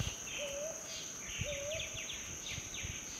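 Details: A brown hawk-owl calling from a treetop gives two soft, low, upslurred hoots about a second apart, over a steady high insect trill and scattered buzzy insect notes.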